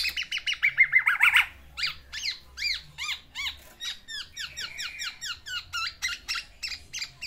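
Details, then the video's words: Pet black-naped oriole male in full song while wooing a female, delivering its isian: a fast, steady series of sharp squeaky chevron-shaped notes, three to four each second, loud at first and then slightly softer. "BURUNG KEPODANG GACOR MENGELUARKAN ISIANNYA UNTUK MERAYU BETINA"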